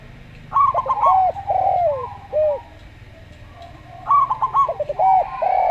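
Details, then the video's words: Zebra dove, local type with a slow song: a stuttering run of short notes leads into a drawn-out falling coo and a single arched note, then the pattern starts again after a pause. "Perkutut Lokal Suara Slow"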